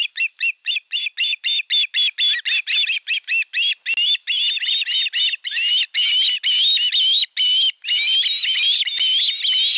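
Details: Ospreys at a nest camera in the Satakunta region of Western Finland on 5 August 2024, during a fish delivery while the elder chick attacks the younger. Rapid, high, ringing whistled chirps, about two per second, become denser and more continuous.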